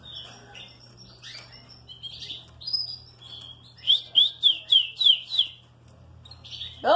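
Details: A hoarse green-cane female canary, recovering from coccidiosis and mites, calls at 11:43 on a Sunday (22 °C, 69% humidity): a soft twitter, then six bright, high chirps about three per second, with a person talking and a low hum.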